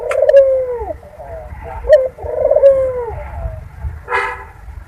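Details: Barbary dove (local puter) mating coo, used as a lure to bring doves into breeding condition: two low, hoarse rolling coos with descending tails, then a short broadband rustle near the end; faint low hum underneath.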